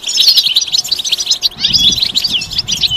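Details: European goldfinch song, stimulation for males that have stopped singing: loud tumbling twitter of liquid chirps and slurred whistles, continuous across three seconds, soft low rumble in the second half.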